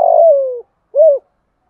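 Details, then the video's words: Spotted dove call used to provoke a rival wild dove: the end of a long low coo sliding downward in pitch, a short gap, then one rounded final coo. "Tiếng chim cu gáy kích bổi"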